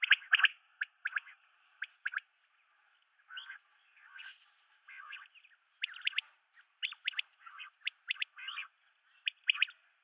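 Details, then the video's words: Batair, the common quail, gives sharp clicking notes in quick pairs and triplets interspersed with softer raspy buzzes, fairly quiet, over ten seconds. "Batair ki Awaz , Batair Sound vol 31, Common Quail Sound 2020 |CALL COMMON QUAIL (Coturnix coturnix)"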